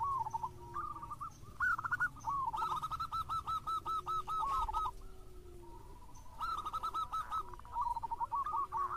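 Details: A local Zebra Dove sings vigorously, giving long runs of evenly spaced, bubbling coo notes, pausing, then resuming, over a low, drawn-out coo and faint rustling.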